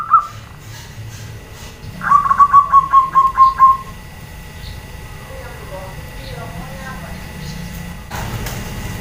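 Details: A female zebra dove calls to draw answering males, giving a brief burst of rapid, slightly descending coo notes lasting under two seconds amid faint background noise.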